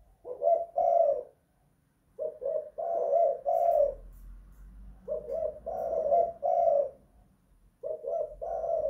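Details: Spotted dove calling in a house; three phrases of low coos, each opening with quick short notes and ending in a longer coo, a faint background hum between phrases.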